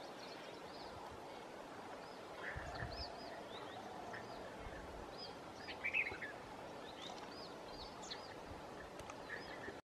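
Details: Himalayan bulbul (Pycnonotus leucogenys) at Sattal calls: scattered short, bright chirping notes, with one louder burst midway, over a steady hiss of background noise and other faint birds.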